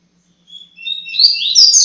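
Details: Coleiro, or double-collared seedeater, singing the tui tui zero zero song: after a brief silence, thin whistles build into loud, sweeping, rising and falling phrases that are still going at the end, over a faint low hum.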